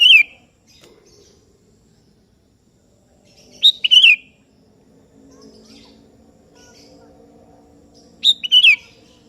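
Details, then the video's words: Kutilang kebo, the sooty-headed bulbul, calling out to a rival that replies: three quick warbled whistle phrases spaced roughly four seconds apart, with a soft low hum between them. "Suara Merdu Burung Kutilang KEBO Gacor Memanggil Lawan Ikutan Bunyi"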